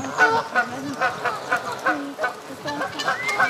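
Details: Canada geese bathing on a pond in Midhurst, West Sussex, England, give nasal, harmonic honks in quick, uneven bursts, several calls overlapping every half second or so, with light splashing and background murmur.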